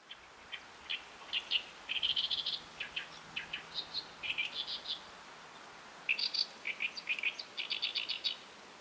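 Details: Oriental Reed Warbler at a tidal flat at high tide, with mudskippers present, gives a loud, harsh chattering of grating, croaky notes in rapid bursts, each phrase repeated every second or so over a quiet background.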